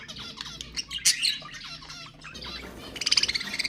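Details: Pet budgerigars in a busy chattering warble of scratchy notes and squawks, ending in a quick rhythmic run of repeated ticking chirps, played to prompt budgies to sing.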